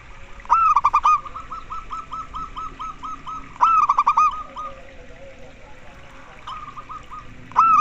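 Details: Local zebra dove song played to prompt other doves to sing sooner: a sharp stuttered opening followed by a long even series of soft clipped coos, then a second phrase and a brief fainter one.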